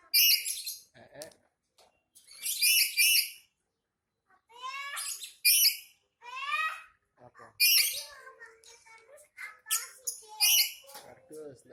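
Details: Angry captive black-capped lory giving repeated harsh, grating screeches mixed with shorter rising chirps, while a child and other people talk in a small room.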